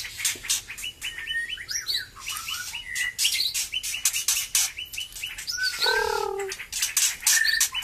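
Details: White-rumped shama, recently moulted and singing keenly again; series of repeated whistled notes mixed with harsh scratchy bursts and a low descending slurred phrase.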